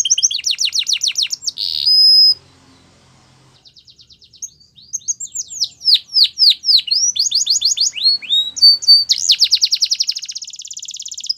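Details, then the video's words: Canary song of high trills and descending slurred notes, a steady flat whistle, a short pause, then a rising sequence of varied whistled tours and a long buzzy roll. "Most Beautiful Song Canary Bird"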